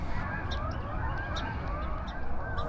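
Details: A flock of Canada geese flying overhead at sunrise at Manassas National Battlefield, Northern Virginia, their nasal honks overlapping in a steady jumble above a heavy low rumble of wind.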